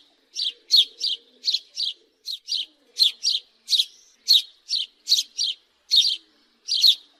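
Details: A house sparrow chirping insistently, rapid scratchy notes often in pairs, delivered in a dense run with little pause between them.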